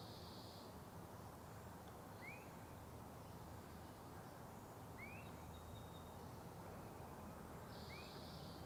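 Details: Swainson's thrush calling at a marsh on a morning: three short, rising whistled notes about three seconds apart, faint under a steady low rumble of wind and distant traffic, with insect hiss.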